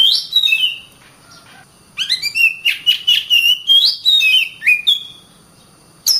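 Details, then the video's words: Oriental magpie-robin singing gacor style: a rising whistled phrase, a pause of about a second, then a fast run of sweet, slurred whistles and chirps, ending with a sharp upward note. "suara burung Kacer gacor"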